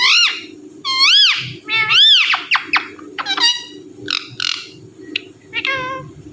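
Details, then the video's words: Indian ringneck parakeet, a talking pet parrot. Loud, harsh arched squawks come in quick succession, followed by shorter clipped chattering notes and a few high ticks, over a steady low hum. "Talking Parrot Saying Mithu Mithu"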